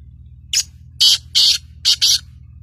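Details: Sindhi black francolin from Sindh giving its call, a rasping phrase of five notes: a brief opening note, two drawn-out buzzy notes, and a fast final pair, with a soft low background hum.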